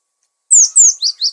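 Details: Cinereous tit in full varied song, used for luring and tutoring birds: two thin, high, downslurred whistles followed by shorter, lower chirped notes, clean and close with no other sounds.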